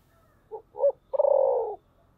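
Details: Spotted dove with a voice style called "thổ sấm": two short low coos followed by a longer, steady, throaty coo, deep and hollow, quiet background.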